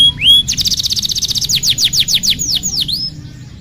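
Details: Canary singing a master song meant for teaching young canaries: one rising whistle, then a rapid buzzy high trill that breaks into slower separate downward-sweeping whistles and fades.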